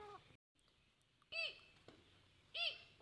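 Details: Young grey francolin (Deccani teetar) calling: two loud, arched, harmonic notes about a second apart, each rising then falling, with a quiet indoor-sounding background.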